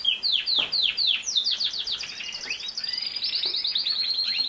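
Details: Canary singing, used as a lesson for a young male canary learning to sing; rapid descending slurred notes repeated several times a second, shifting into a dense, rolling high trill.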